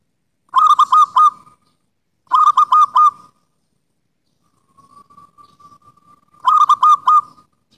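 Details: Native zebra dove of local stock singing, a recording meant to coax silent doves into song: three bursts of quick, warbling coos, with a faint steady tone in the pause before the last burst.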